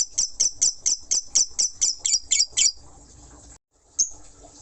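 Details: Lovebird in ngekek style: a run of about eleven shrill, evenly spaced chattering pulses, roughly two a second, then breaking off into near quiet with one last high note near the end.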